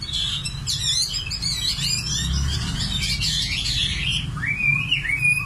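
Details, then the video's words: Common nightingale singing a jumble of fast, high chirps and buzzy notes, ending in a few distinct sliding whistles, with steady low background noise throughout. "Singing nightingale. amazing bird song"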